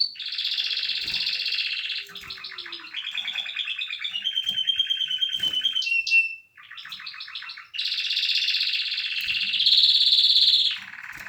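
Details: Excited canary singing: a long, loud, continuous song of rapid buzzy trills and rolling phrases, shifting between high, dense bursts and pulsed rattles, with one brief pause near the middle.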